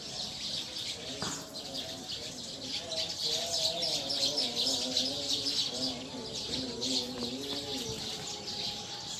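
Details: Wild Eurasian tree sparrows gathering to roost in a tree, a dense unbroken chorus of high, rapid chirps and twitters overlapping throughout, with softer low wavering tones running beneath.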